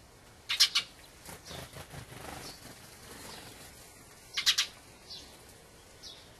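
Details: A Dusky thrush, a winter visitor migrated from the far north, gives two bursts of three quick, sharp, harsh notes about four seconds apart, with softer chattering notes between.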